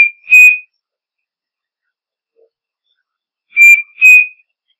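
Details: Striped cuckoo giving its double whistled song twice, each pair of sustained, level notes sounding about three and a half seconds apart, with nothing else audible.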